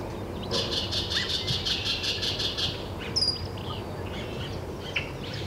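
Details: Great-tailed grackle recorded at Taos, New Mexico, June 17, 2017, giving a loud run of about ten harsh, high rattling notes, followed by a thin high whistle and softer squeaky notes, with low rumbling noise throughout.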